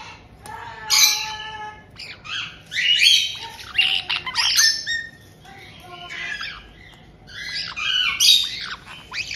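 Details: Captive white-bellied caiques in Tokachi, Hokkaido, 18 June 2023: a resident pair greeting a newly arrived chick just over two months old. Loud harsh squawks and screechy bursts come in quick clusters, some short chirps between, over a faint low hum.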